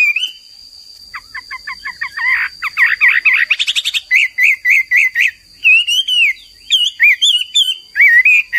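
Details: Hwamei in full song: rapid stuttering trilled notes building up, then bright repeated whistled phrases and wavering slurs, accompanied by a steady high electronic tone.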